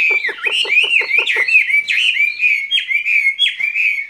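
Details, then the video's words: Skylark singing its spring love song in a cage: a rapid burst of harsh, chattering notes gives way to loud whistled, swooping phrases repeated every half second or so. "Chim quý ở lồng son ca bản tình ca mùa xuân"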